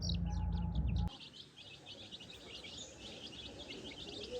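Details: Tiny baby chickens on a farm, scratching in the grass and learning to find food on their own without the hen; a loud low rumble opens, then many high, short peeps overlap rapidly throughout.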